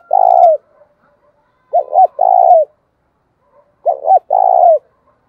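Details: Spotted dove used as a decoy, cooing to provoke rivals. A long coo ending is followed by two complete phrases, each a pair of short hoots and a sustained buzzy note, spaced about two seconds apart.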